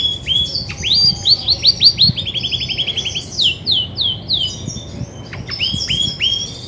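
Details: Varied song of a grey-and-white female Belgian canary, said to sing a lot when ready to brood: curved whistles, a rapid run of even repeated notes, then falling slurs and scattered high chirps.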